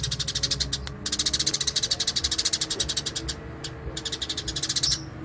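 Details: Eurasian tree sparrow (burung gereja) singing in lively 'gacor' style: rapid trains of bright, dry chirps repeated many times a second, briefly pausing then resuming, over a low steady rumble.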